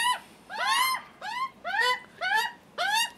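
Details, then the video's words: Juvenile Australian magpies begging, hungry and insistent: five loud, harsh, arched squawks in about three seconds, evenly spaced, rich in overtones. "First visit by screaming hungry juvenile Magpies & nervy Dad"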